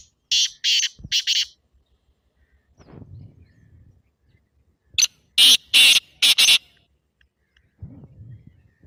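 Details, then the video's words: Black francolin giving an excited call, played to get a pet partridge calling. Two harsh, scratchy phrases of four or five rasping notes each are separated by a low rustling pause, and faint rustling follows. "تیتر کی مستی بھری آواز"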